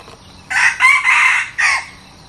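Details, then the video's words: New decoy red junglefowl crowing: a rough, hoarse four-part crow with a clipped first note, two long strained middle notes and a short final tag, then silence. "ฟังกันยาวๆ พาไก่ต่อใหม่มาลอง!!"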